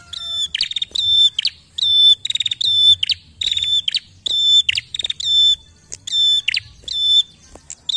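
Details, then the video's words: Prinia song played to prompt other birds into singing: rapid series of high, harmonic-rich notes alternating with stuttering ticks, in steady repeated phrases roughly twice per second, with faint low background hum. "PRENJAK GACOR untuk pancingan bunyi prenjak"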